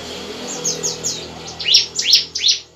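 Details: Night song of a bar-winged prinia, used as a lure for young birds: high thin downslurred notes repeating, then three louder sharp chirps spaced about every third of a second, with low steady background noise.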